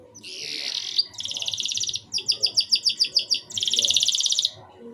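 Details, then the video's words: Canary song, a short burst of broken song meant to stimulate young canaries to start singing: a buzzy high trill, a rapid rattling tour, a run of separate pulsed notes, then another fast trill. "RANGSANGAN DAN PANCINGAN KENARI PAUD AGAR CEPAT BUNYI DAN GACOR - kenari lain langsung respon"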